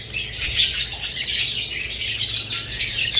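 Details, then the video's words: Budgerigars chirping together: a dense, continuous chatter of overlapping high squeaks, warbles and chirps from several birds, with no pauses. "Budgerigars lovebirds Chirping Sounds"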